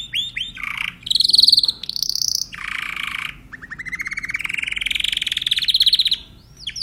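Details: Timbrado canary song: a continuous run of varied phrases, rapid trills and rolling notes between mid and high pitch, a long buzzy rising roll in the second half, fast sweeping notes at start and end.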